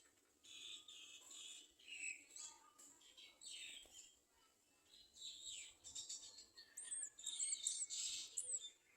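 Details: Garden sunbirds clinging to the nest to feed a chick. Irregular series of high, thin chirps and quick twitters, with some downward-sliding notes. Calls come in scattered bursts, growing denser toward the end.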